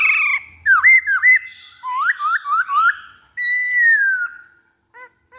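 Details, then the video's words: Black-throated laughingthrush singing as a lure: looped whistles, a rising series of slurred notes, a long descending whistle, then three faint short notes. "Pancingan Poksay Hongkong Paling Ampuh"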